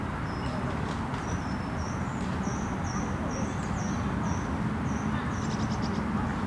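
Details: Great crested grebe chicks pipe thin, high, short notes about twice a second while parents try to feed them fish that is not quite the right size, recorded at long distance from a boat, over a steady low rumble of wind or water.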